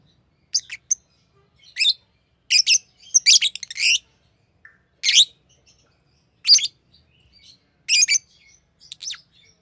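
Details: Green lovebird producing scattered sharp, high screechy chirps and short chattering clusters at irregular intervals, with quiet gaps between.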